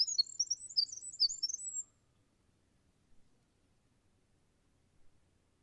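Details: A winter wren gives the close of its song, a burst of high twittering notes and quick trills lasting under two seconds, then near silence with faint distant sounds.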